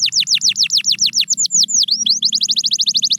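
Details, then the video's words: A canary sings in sound used to motivate quiet birds. Fast falling whistles repeat, then slower swooping notes, then a quick even run of short chirps. A faint low hum sits underneath. "The Secret Sound That Brings Back Any Quiet Canary"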